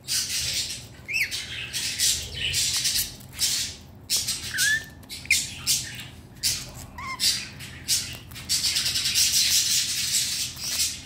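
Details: Caged pet red-collared lorikeet indoors, excited by its favourite chew balls and its owner's return, mixing noisy screeching bursts with brief whistled upslurs and downslurs.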